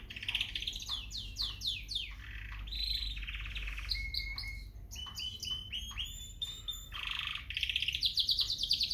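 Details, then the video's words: Canary song, a gray frill back and a yellow canary from Peshawar: a varied run of rapid descending whistled sweeps, pure held notes, buzzy trills and fast rattling phrases, with a low hum underneath. "Canary Singing"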